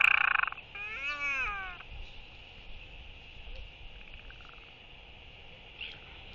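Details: Royal albatross greeting an incoming partner with skycalls during a courtship display, recorded 11.6.23: a loud opening burst, then a drawn-out arched, harmonic moan rising and falling over about a second, over a steady high hum and low wind.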